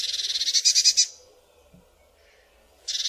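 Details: Eurasian blue tit scolding with a fast, grating churr lasting about a second, then a pause before another rasping burst begins.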